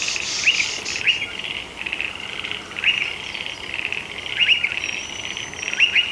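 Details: Striated pardalote at a nest in a shed roof, entering and leaving, giving short, sharp, upward-flicked chip notes, singly or in quick pairs, every second or so, over a steady buzzing insect chorus.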